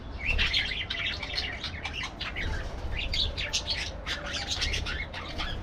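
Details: Parakeets chattering in a busy chorus: dense, overlapping high chirps and short squawks that run almost without a break, with a steady low rumble underneath.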